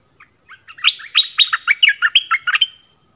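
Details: Bird called nok dok taeng in Thai, singing varied phrases: a few quiet lead-in notes swell into a rapid, tumbling string of about ten loud, liquid whistles, some swooping down and others up.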